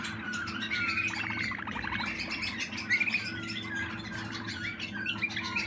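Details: Malinois Waterslager canary, young bird from 2020, singing pulsed rattling trills and rippling liquid notes with short whistled slides, over a continuous low hum.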